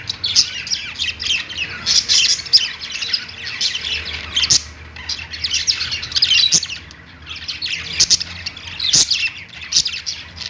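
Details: Budgerigars singing on a perch: continuous high warbling chatter and chirps with scratchy squawks, interrupted by a few sharp clicks.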